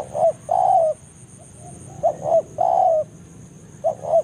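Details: Spotted dove used as a lure in forest to call a rival: two complete phrases of brief rising notes ending in a long mellow falling coo, a third phrase beginning, with a faint steady high whine.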